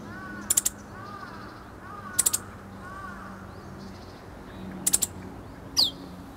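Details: Meadow bunting recorded close by on 8 March 2011, relaxed and practising its song as it shifts from calls to full song: sharp high triple ticks and a quick falling whistled note, spaced a second or more apart, over soft background chirps.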